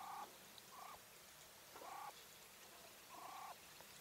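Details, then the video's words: English White Coturnix hen quail calling with harsh, buzzy, nasal squawks, about four calls over four seconds, each half a second long, against a soft background hiss. "Quail call sounds | Female / Hen | Coturnix"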